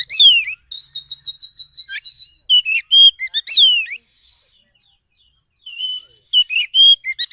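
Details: Oriental magpie-robin of a wild forest type, played as a lure to provoke a response: loud clear whistled phrases sliding down, a long run of rapid repeated chirps, then short rich whistles after a pause.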